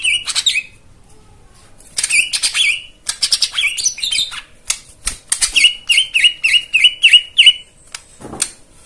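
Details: Fast, high white-eye twittering meant to lure silent birds into singing: scattered chips and short bursts, then a regular string of about eight rising-falling whistled notes.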